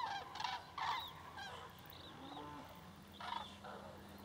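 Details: Common cranes migrating southbound over Berry near Jouy, Cher, France, part of a flock of over 5000. Loud trumpeting, rolling honks come in overlapping bursts, several voices calling at once, with pauses between, over a steady background rumble.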